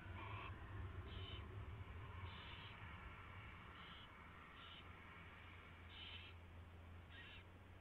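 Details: Owl at the nest on February 24, 2016, at 4:21 AM while a mouse is delivered and fed; seven brief harsh screechy bursts, roughly one per second, over a loud low droning hum.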